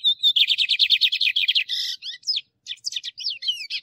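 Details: Caged-bird training song of a male lined seedeater: a rapid pulsing trill of evenly repeated buzzy notes for about a second and a half, breaking into varied squeaky, rising and falling twittered notes.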